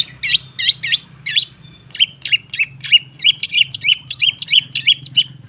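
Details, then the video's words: ['Long-tailed shrike song used as a lure to make a silent shrike sing: fast series of sharp, high downslurred notes, about three per second, opening with hooked twisting phrases, over a faint low hum.'] "Suara TERAPI pancingan cendet /pentet macet total , di jamin buka paruh"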